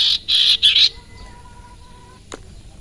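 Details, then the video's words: Sirpu or sirtu giving three loud, scratchy, buzzy bursts in quick succession, followed by near silence with a faint steady tone and one soft click. "burung sirpu/sirtu dorong burung lain jadi emosi dan gacor"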